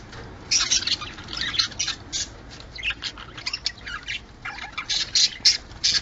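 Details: Budgerigar mating calls, played to bring birds into breeding condition: lively, rapid chirping and harsh squawky notes in quick succession over a light background hiss.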